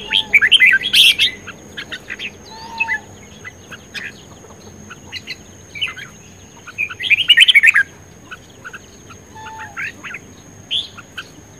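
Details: A male Red-whiskered Bulbul in Vietnam, in contest song said to be ready for competition, gives loud bursts of bright, chattering, warbled phrases about every six seconds, with softer brief notes between, over a thin high hum; 10 May 2020.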